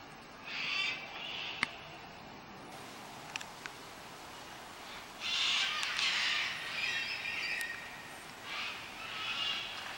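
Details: Cockatoos flying as a flock over the Blue Mountains of Australia, giving rough, grating screeches in overlapping bursts, loudest in the middle, with occasional sharp ticks against a constant background hiss.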